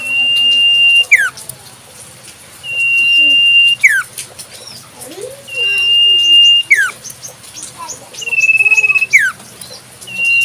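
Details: Wild common iora recorded in nature, giving a long steady high whistle held about a second, then a quick sharply falling slurred note, repeated roughly every two to three seconds; faint lower warbling notes and a soft hum beneath.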